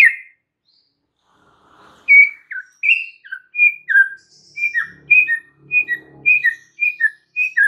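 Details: Captive white-rumped shama, a lively singer with rich varied song, used as a lure to spark stalled or stressed shamas; after a quiet start, a string of loud whistled and slurred notes near one pitch, repeated about twice a second, with faint low rustling.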